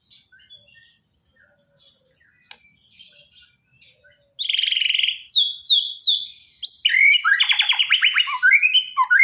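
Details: Borneo white-rumped shama in a daily training recording for shamas that stopped singing; faint ticking notes, then loud buzzy bursts, cascading downward whistles and a rapid chattering series of repeated notes.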